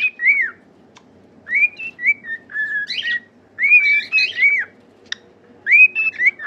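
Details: Pet cockatiels singing a tune meant to teach and cheer up caged birds: bright whistled phrases in bursts, falling and rising slurs grouped in runs of three or four, separated by short pauses, with a single sharp click midway.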